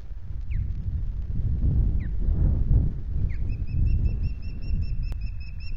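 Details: Osprey at the Loch Garten nest on an afternoon in late July, during a fish delivery: a few sharp downslurred whistles, then a fast series of thin, repeated chirps, over a steady low wind rumble.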